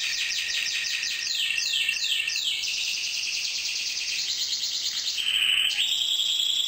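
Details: Red mosaic canary in song: a fast series of repeated rising-falling swept notes, then a dense high buzzing roll and a lower steady trill, delivered without pause.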